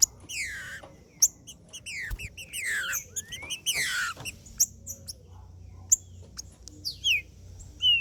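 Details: Green-winged saltator in macheando song, played to warm up others of its kind; a series of loud descending whistled slurs, with one rising note, interspersed with crisp high clicks and brief pauses.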